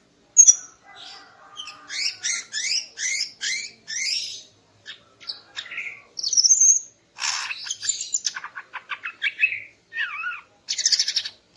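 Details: Varied morning song from a female greater green leafbird aimed at arousing a male: rapid repeated sweeping notes, then a sharp high whistle, buzzy rattles and a bending slurred note near the end.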